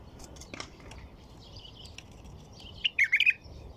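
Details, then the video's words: White-eared bulbul singing: after scattered faint high chirps, one loud liquid phrase of four or five quick warbled notes near the end, with other small birds twittering softly in the background. "تغريد بلبل طور"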